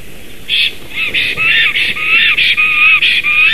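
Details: Black stork giving a rapid series of harsh, wheezy notes, several each second, with a thin whistled overtone, at a nest in Latvia on 23 May 2016 during a visit by a strange stork.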